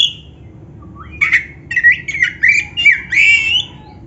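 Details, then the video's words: Oriental magpie-robin, black-breasted form, played as a lure for caged birds: after a brief call and a pause, a rapid string of squawky, buzzy whistles sliding up and down. "STEL SUARA INI‼️BIAR KACERMU MAKIN GACOR"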